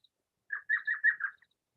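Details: Elf owl (Micrathene whitneyi) giving its maniacal, high-pitched cackling laugh, five yelping same-pitch notes in under a second, at night in the mountains of southern Arizona during owl surveys; silent background.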